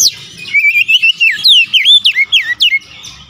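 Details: Oriental magpie-robin singing persistently and bringing out its learned repertoire: a fast run of clear, loud whistled notes, sliding and looping up and down, delivered in quick bursts several times a second over a quiet background.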